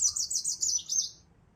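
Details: Yellow-fronted canary, called the African Mozambique finch: one quick, high twittering phrase of rapid chirped notes in bursts for about a second, then fading out over a faint low background hum.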